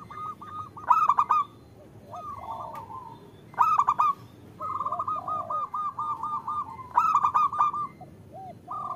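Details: {'text': 'Zebra dove female calling to a male as a singing lure for local birds; three loud accented bursts several seconds apart, each trailing into a quick series of soft repeated coos.'}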